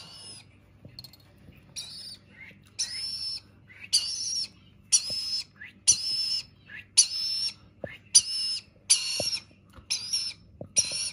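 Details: Begging of a rainbow lorikeet chick while being fed: a series of about eleven grating, buzzy squawks repeated roughly once per second, with soft knocks and a low background hum.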